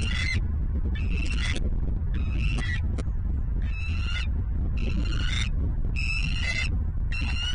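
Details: Bald eagle calling from a Southwest Florida nest, recorded on 27 November 2022 in the morning: bursts of squeaky, stuttering chatter notes about every second, with constant low wind noise underneath.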